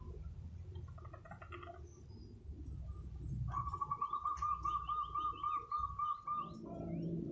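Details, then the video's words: Local zebra dove singing vigorously to prompt other zebra doves to call. After a few seconds of background rumble, a fast, purring string of coo notes runs for about three seconds, with thin chirps from other birds above it. "Burung perkutut lokal GACOR,suara menggelegar memancing perkutut lain ikut BUNYI manggung"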